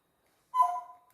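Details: A pet parrot about 15–16 years old, calling indoors, gives one short, clear whistle, a steady tone that steps slightly lower and fades within half a second after a moment of silence.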